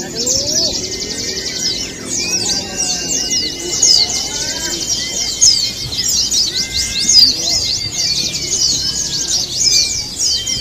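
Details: Crowded chorus of Javan white-eyes in a contest simulation, continuous high rapid chirping rising and falling in loudness, with a few lower whistled glides.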